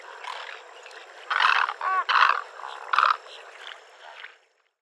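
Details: Great egret giving harsh, grating croaks: a burst of about four rough calls within two seconds, one with a wavering tonal quality. Quieter rasping comes before and after, then silence.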